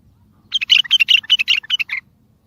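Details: Powerful bulbul song meant to set mute birds singing and draw other bulbuls in for capture: a fast burst of bright, chattering chirps lasting about one and a half seconds, ending on a lower dropping note.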